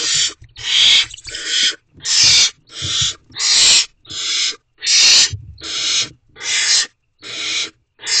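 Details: Barn owls in a nest box at night on 30 April 2023 after the male drops off food and departs; a long series of rasping, hiss-like screeches, each under a second, repeated roughly every 1.5 seconds with short gaps.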